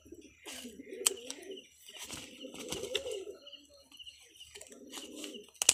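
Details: Pigeons of local and foreign bloodlines, kept indoors: low, throaty rolling coos in three bursts about two seconds apart. A steady high thin tone and scattered sharp chirps and clicks run behind them.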